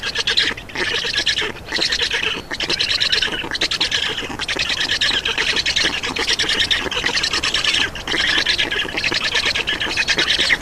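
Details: Begging Black stork chicks at a nest in Estonia while an adult brings food, June 2, 2019, afternoon; steady buzzy, rattling squawks broken by brief pauses about once a second.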